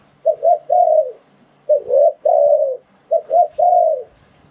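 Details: Spotted dove calls played as a decoy for trapping wild doves: three soft cooing phrases, each two quick hoots and then a longer falling coo, separated by brief pauses.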